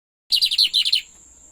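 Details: Pet lined seedeater giving a short song phrase: about seven quick, bright chirped notes in rapid succession lasting under a second, followed by a faint steady high whine.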